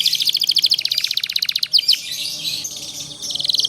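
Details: Canary master song for training young birds to sing long rolls: a sustained rapid trill of high pulsed notes, a few quick downward sweeps, then a quieter, noisier stretch before the trill resumes.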